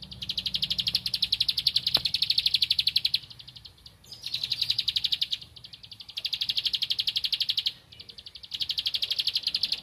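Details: Bar-winged prinia singing vigorously in search of a rival, repeating four bursts of fast high chipping notes, each one to three seconds long, separated by brief silences, one faint click heard.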